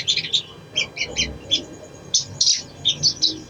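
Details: Little spiderhunter song played to coax a lazy bird into singing: short groups of high, sharp chip notes in quick pairs and triplets, separated by half-second gaps, with faint low murmur beneath.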